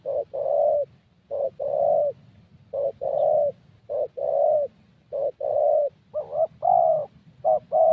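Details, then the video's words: Spotted Dove, young 'thổ' bird, cooing at a decoy session in Gia Lai, Vietnam: repeated two-note phrases about once a second, with a low rumbling background throughout. "Thổ Tơ Âm Giọng Khá Tốt"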